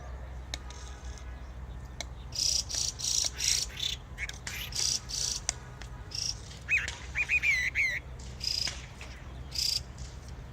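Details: Songbirds singing in spring: a run of short, harsh, broadband chirps in irregular bursts, then a quick series of thin, rising whistled notes near the end, over a faint low background hum.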